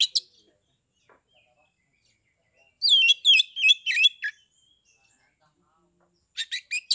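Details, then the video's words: Oriental magpie-robin kept for contests in Kebumen, Central Java, singing in fighting mood to provoke others: a fast series of loud slurred whistles and chirps, then a quieter run of short notes. "KACER TIPE PANAS / DINGIN PASTI AKAN NYAUT GACOR, MERESPON SUARA KACER NGEPLONG INI"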